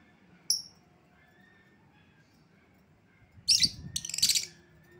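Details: Lovebird calls used to lure back an escaped bird: one thin, high chirp, a long pause, then a harsh burst of loud, scratchy shrieks and squawks lasting about a second.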